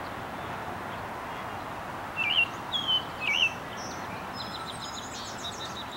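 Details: American robin in Huntington Central Park, Huntington Beach, Orange County, California, giving three clear caroling whistled phrases in quick succession midway, each rising and falling, followed by faint high chirps from other birds over steady background hiss.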